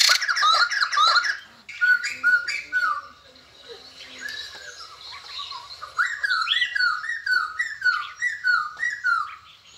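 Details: White-crested laughingthrush, said to sing and dance all day after eating geckos, opening with loud chattering squawks, then a quieter stretch before a run of clear whistled notes that rise then drop, repeated at an uneven pace.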